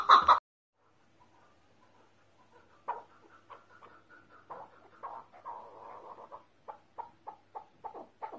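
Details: After a short loud burst and a pause, a keklik (chukar partridge) from Tajikistan's mountains builds a series of short clucks that grow into quick, separated chuk notes toward the end.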